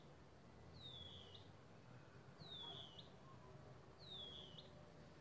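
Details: Band-winged nightjar at Plottier Ecological Reserve gives a thin, high, slurred whistle that drops in pitch, three times at intervals of about a second and a half, over a low steady hum.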